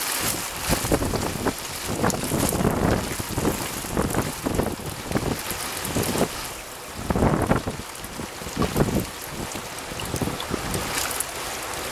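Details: Only broadband wind and rushing water or rain noise is heard, with gusts and spatters and no clear animal calls.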